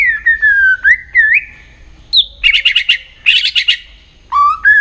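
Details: White-rumped shama singing, kept for training for song contests: clear whistled notes sliding downward, a rising looped whistle, then bursts of rapid pulsed chattering phrases and a final pair of bright rising whistles.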